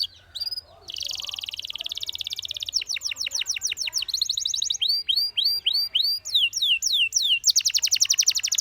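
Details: Canary song used for training and coaching young singers: a buzzy sustained tour, then a series of sweeping rising-falling whistles and rapid rolled trills, delivered at a brisk, steady pace.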